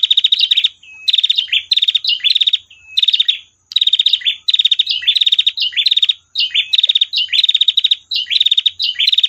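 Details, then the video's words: A female prinia gives long, rapid, buzzy, high chattering trills in bursts of about a second, linked by brief thin notes and repeated almost without pause, with no other sounds. "prenjak betina tir panjang"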